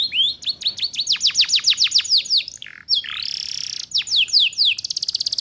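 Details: Canary lure song for young birds learning ngeriwik singing: a quick series of clear downslurred whistles, about eight in a row, followed by a rolling trill, a sharp rising note, more descending slurs and a closing rapid trill.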